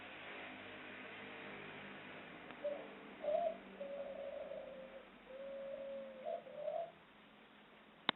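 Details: Female ringneck dove (puter pelung) kept by a breeder in Central Java, Indonesia, uttering a long ngelik ngluguk coo: a quick rising note, then a sustained wavering mid-pitched coo lasting several seconds, ending with a sharp click.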